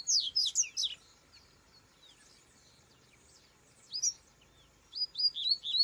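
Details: Rusty-collared seedeater singing in the wild: a quick burst of high chirps, a long quiet pause with faint twitters, then a single note and a new run of whistled slurred notes.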